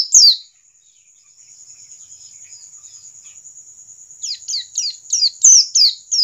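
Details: Standard pleci ngalas white-eye singing, used to encourage birds to sing: one sharp high chirp, a long stretch of quiet with a steady thin high tone, then a quick series of descending chirps roughly three per second.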